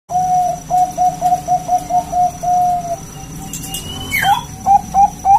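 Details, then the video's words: Local zebra dove gacor song, a prized round, crystal-clear voice used as a lure and tutor: clear, steady coo notes repeated about three times a second, then a higher rising trill and a few quick hoots, with faint background chirps. "suara bulat kristal - perkutut lokal gacor suara istimewa buat pancingan dan masteran"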